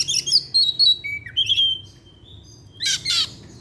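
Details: Oriental magpie-robin (kacer), kept caged and singing in the evening, gives sliding whistled notes that drop in pitch, then two raspy bursts after a short silence.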